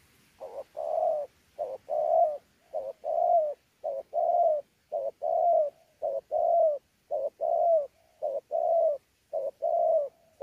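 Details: Spotted dove, a wild-caught local bird recorded at Sa Thầy, Kon Tum, Vietnam on 26 November 2019, singing pha đấu style with gù: a steady, regular run of mellow coo phrases, about one per second, short notes alternating with drawn-out falling coos.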